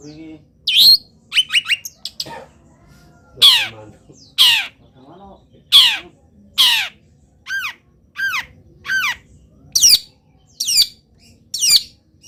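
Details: Moulting long-tailed shrike singing steadily with a repertoire of copied wild-bird calls: harsh, scratchy notes that sweep downward, repeated about every second, with a few quicker stuttered notes at the start.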